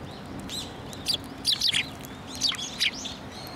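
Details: Sparrows approaching to be fed at a Tenmangu shrine on 15 December 2023, giving bursts of high chirps and short twittering notes around 1.1, 1.5–1.8 and 2.4–2.9 seconds over a steady low background hum.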